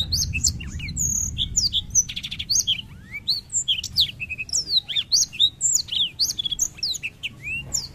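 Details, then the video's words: A black-throated canary sings without pause in a fast, high stream of sweet whistles, slurred notes and brief trills, with a faint low hum behind. "BLACKTHROAT GACOR NGEROL"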